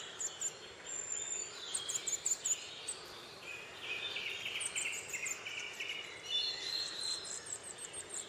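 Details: Nuthatch feeding a chick in Cornwall on 23 May 2010: thin, high buzzy notes in short bursts, grouped around the middle of the clip, over steady background hiss.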